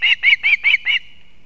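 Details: Osprey mother with fish for her chick at a nest in Kurzeme, Latvia, 31 August 2024: five loud, harsh, high-pitched yelping notes in quick succession, then silence.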